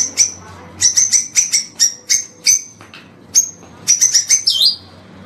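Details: White-rumped shama (murai batu) song from a long training recording meant for morning use: bright high whistled notes repeated in quick bursts, each with a short lower echo-like trace, ending in a downslurred whistle.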